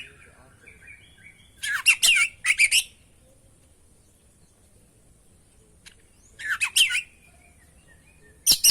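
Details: Oriental magpie-robin (kacer) in full, constant song, used as a training and trigger recording: three short bursts of harsh, buzzy and whistled notes separated by long silent gaps, with one thin sharp click between them.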